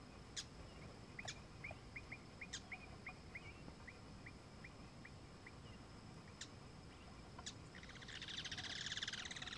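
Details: Brazilian teal (marreca-ananaí) by a stream, wetland habitat; a run of short, evenly spaced chirping whistles repeated rapidly, about two to three per second, with a few sharp high clicks and a burst of broadband noise near the end.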